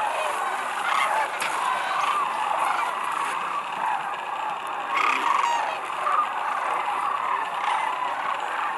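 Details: Thousands of sandhill cranes descending on Whitewater Draw Wildlife Area near McNeal, Arizona, on February 5, 2018; a dense continuous chorus of rolling, overlapping bugling calls from a huge flock, steady throughout with no pauses.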